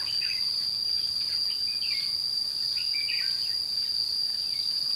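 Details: A red-whiskered bulbul sings while being trapped in Thanh Liêm, 29/5/2016. Its slurred, whistled phrases rise and fall in scattered bursts beneath a persistent high-pitched insect hum.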